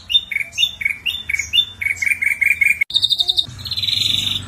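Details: Vigorous ashy drongo singing to set other birds off, a string of quick descending whistled notes repeated about five times, then a sharp break and a grating buzzy trill.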